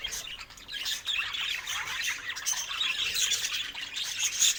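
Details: Several budgerigars chirp and twitter together in a lively, scratchy warble. Short squawks rise through the mix, and the activity swells toward the end.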